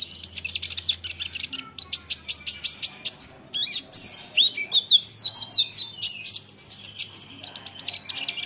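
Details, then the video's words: Olive-backed sunbird singing to draw replies from other sunbirds: rapid runs of very high, sharp ticking notes, repeated several times a second, broken by twisting downslurred twitters midway and a faint low hum underneath. "Isian Kolibri Ninja, Dengar ini konin lain pasti nyahut gacor doooorrrr"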